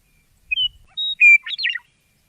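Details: Western meadowlark song, a grassland bird of Central Oregon heard in spring alongside horned larks and savannah sparrows; a few clear, pure whistled notes followed by a quick, jumbled, gurgling flourish, lasting under two seconds.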